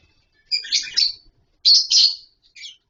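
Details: Lovebirds in a colony setup with wooden boxes and mud bowls, calling while having fun: two loud runs of shrill, buzzy, chattering chirps followed by a short softer chirp.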